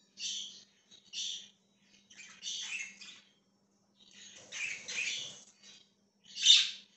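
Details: Budgerigar chirping, 20 January 2023: separate buzzy chirps at first, then longer grating, warbling phrases, finishing with one sharp loud squawk; quiet gaps and a soft low hum between.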